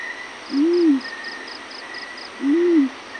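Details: Morning call of a yellow-breasted fruit dove: two low, mellow hoots, each gently rising then falling and lasting about half a second, spaced roughly two seconds apart, with rhythmic insect chirping and a constant high buzz behind.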